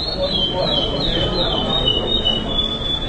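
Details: A champion chestnut-bellied seed finch, first place at a Recife song tournament on 27/07/14 in the Goiana Classic with repetition style, sings a continuous, high, clear whistled phrase with wavering, slurred notes, over steady hiss and low rumble.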